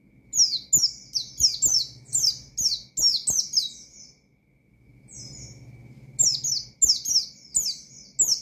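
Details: Oriental white-eye singing hard in ngalas style with shooting notes to provoke rivals: long runs of shrill, falling chirps, a quieter lull near the middle with one faint phrase, then the rapid twittering resumes.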